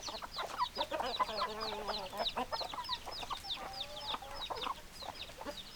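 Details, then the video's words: Hens cluck rapidly while one bird gives longer, wavering, nasal calls, all over a constant chorus of thin high chirps. "Chicken Sounds Noises Hens Clucking Roosters Crowing"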